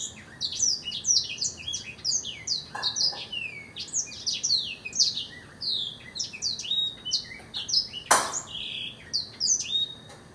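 A Black-throated Canary sings a fast, unbroken run of high twittering chirps and trills with sweeping notes. A sharp click cuts in near the end.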